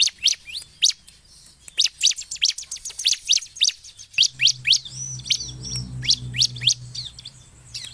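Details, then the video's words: Bar-winged prinia singing energetically, used to attract birds: a steady string of sharp, high chip notes about four per second, later mixed with thin whistled slurs over a low humming background. "SUARA CIBLEK GACOR"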